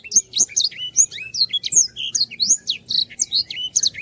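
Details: Black-throated canary in full, lively song, recorded as tutor material for teaching other birds. A continuous stream of very high, quick whistled notes, sweeping up and down, with short chirps packed several per second.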